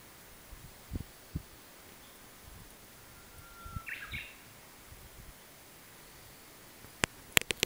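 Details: Japanese bush warbler singing on a warm spring day, 14 March 2012, near bird's-eye speedwell flowers: one long low steady whistle leading into a short bright flourish, amid steady outdoor hiss and a few sharp clicks.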